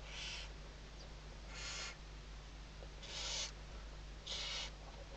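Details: Western barn owl filmed by webcam at Riet Vell Nature Reserve, Ebro Delta, Tarragona, Spain, 2023 season, morning. Four rasping, breathy hisses, each roughly a third of a second long, come about every second and a half over steady low hum.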